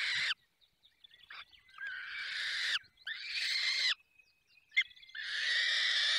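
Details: Falcons feeding at a nest in the Barycz Valley: long, harsh, rasping calls separated by quiet spells. A thin steady whistle is heard in the pauses, and there is a short sharp tap just before the final extended screech.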